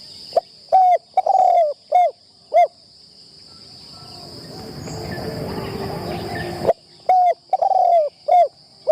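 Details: Deep soft coos of a spotted dove trained as a trapping decoy, on its first time in the enclosure. A phrase of five short and drawn-out notes is followed by a rushing noise, then a second similar phrase, over a steady high-pitched insect drone.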